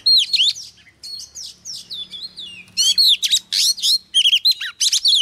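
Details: A female Oriental magpie-robin sings to rouse males, delivering fast, varied whistled phrases with sweeping, slurred notes and rapid bursts, some pauses between phrases and a faint low hum beneath.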